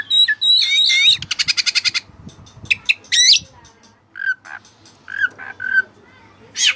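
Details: Oriental magpie-robin (white-breasted kacer) singing in a vigorous tutor-style song filled with Cililin-style phrases: sharp upswept whistles, then a fast run of about eight loud clipped notes, followed by scattered chirps and short slurred whistles.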